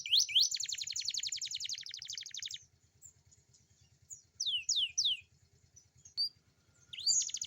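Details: Canary song in the morning, used as a prompt to get young canaries singing: a loud, fast buzzy trill of repeated rising notes, then sparse rising whistled sweeps, over a steady low engine-like rumble.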